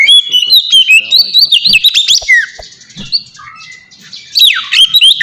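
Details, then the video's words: Captive white-rumped shama giving ngeplong song, a style played to train kacer to sing: dense twittering run of high notes, a pause with low bursts, then whistled downward swoops. "suara burung kacer ngeplong merdu"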